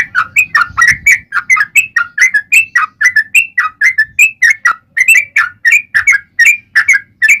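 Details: Steady yellow-vented bulbul song, 'ropel panjang' lure style, sung in a fighting mood: evenly spaced warbled chirps, roughly three a second, each a quick down-up slur, over a soft low rumble.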